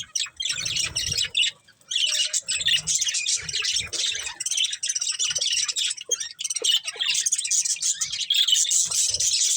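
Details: Budgerigar breeding pair giving a continuous stream of shrill, buzzy chirping and twittering, broken by one short pause early on, otherwise dense and unbroken throughout.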